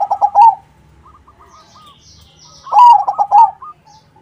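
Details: Zebra dove, crossing type, singing actively to lure other doves into answering: two strong rolling coo phrases about two seconds apart, separated by faint scattered coos from distant doves.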